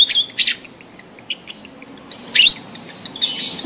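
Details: Lovebird in breeding mood giving its mating call to stimulate others: strident, high screeches in short paired bursts, then a longer harsh shriek and a final chattering squeal.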